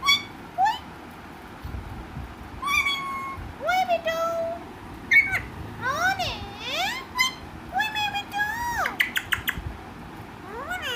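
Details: Talkative pet parrot speaking: a string of wavering, speech-like squawks and whistled syllables that rise and fall, with short gaps between them and steady room noise underneath.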